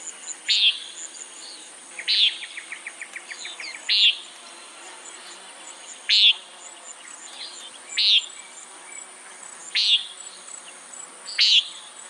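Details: Common nighthawk: short, harsh, buzzy high-pitched calls repeated roughly every two seconds, seven in all, with a rapid ticking series after the second call and a faint steady high hiss throughout.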